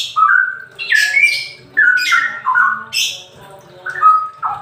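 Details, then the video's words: Straw-headed bulbul singing in the semi ropel style, used as a lure and therapy to get birds that are reluctant to sing to start: loud, rich, bubbling phrases of clear whistled notes stepping down in pitch, delivered in quick bursts with short pauses. "Cucak rawa semi ropel,buat pancingan dan terapi burung males bunyi"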